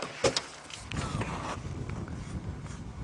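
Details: A vehicle idling with a brief squeak and knock of a door or window, then faint voices and low engine rumble, with no animal call.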